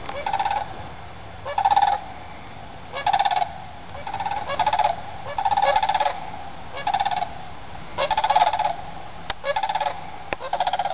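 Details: Group of sandhill cranes flying over woods at morning sunrise, leaving their overnight roost to feed in fields all day; loud rolling, rattling bugles repeated in bursts about every second, several birds overlapping, with quiet background.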